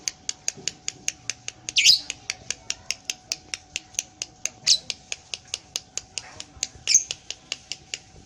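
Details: Lovebird giving a long ngekek, its tail moving as it sings: sharp high clicks repeated about four times a second, broken by three louder rasping squawks.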